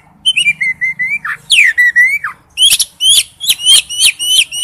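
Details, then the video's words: Male oriental magpie-robin calling to a female: drawn-out whistled notes sliding down, then a rhythmic series of about eight sharp, repeated upswept chirps. "tiếng chích chòe than gọi mái/chích chòe than trống kêu"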